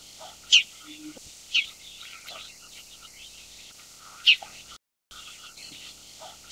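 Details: Bull-headed shrike, Lanius bucephalus. Short, sharp, harsh high notes ring out at irregular intervals of about one to three seconds over a steady background hiss, with a brief cut of silence partway through.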